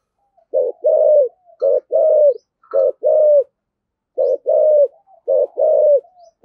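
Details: Spotted dove, 'thổ sấm' voice style with rapid coos: four deep two-part phrases, each a short hooted note and a longer, gently descending coo, delivered in a regular rhythm with short pauses.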